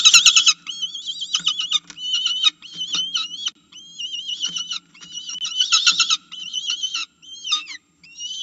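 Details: Falcon at the nest calling to be fed, seen by a nest camera: a long, insistent series of whining, rising-and-falling wails broken by harsh, rapid chattering notes, with short pauses throughout.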